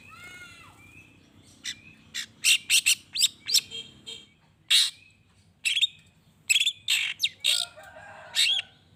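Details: Song of a long-tailed shrike meant to trigger answering calls from other shrikes: a descending whistle opens, then a lively string of sharp chips, buzzy rasps and slurred whistles, ending in a scratchy warble.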